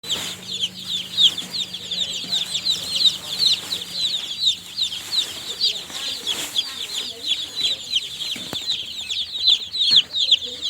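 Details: Newly hatched chicken chicks peeping: a dense chorus of high, short, downslurred cheeps from several birds overlapping constantly, with faint background rustling and a soft low hum early on.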